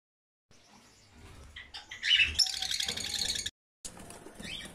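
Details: Rosy-faced lovebirds chirping loudly: a dense, shrill, high chatter of rapid overlapping squeaky notes after a few scattered calls, breaking off abruptly before fainter chirps resume.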